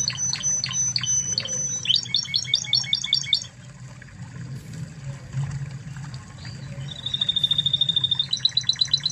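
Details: Spanish Timbrado canary from Spain, a master recording for training other canaries: varied song with a sustained high whistle, rapid trills and a long steady note, with low background hum.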